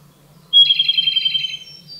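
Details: Loud song of a Japanese robin (Larvivora akahige): a sharp, high opening note followed at once by a rapid, slightly descending trill that fades over about a second. A low steady hum lies beneath.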